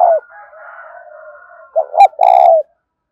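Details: Spotted dove coo in the 'thúc' style for attracting wild doves: the tail of one coo, a long faint steady tone behind, then one clear phrase of two short notes and a drawn-out coo.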